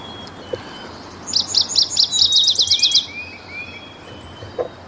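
Yellow-rumped Warbler song: a high, sweet trill of about ten notes that speeds up toward the end, lasting under two seconds, against quiet background hiss.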